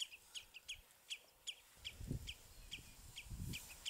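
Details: House sparrows perched on a bramble branch at Battenoord, filmed with a compact camera; short sharp chirps repeat steadily about every half second, with dull low thuds and rumbling in the background.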